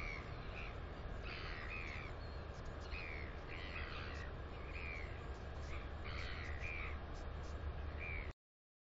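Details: Northern royal albatross chick, female, New Zealand nest camera, 9 September 2020: a run of short, rising-then-falling chirped calls, about eight across eight seconds, over windy low rumble before the recording cuts off.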